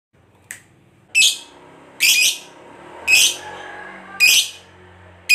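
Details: Lovebird gacor, a fighter bird, giving long chattering (ngekek panjang) used to provoke other lovebirds to answer: harsh, buzzy high bursts of about half a second, repeated roughly once a second, with faint indoor hum between.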